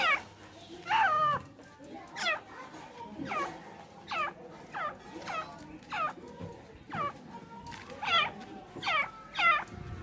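A francolin gives a run of harsh, ringing notes about once a second. Each note is loud and rises then falls, over faint background murmur.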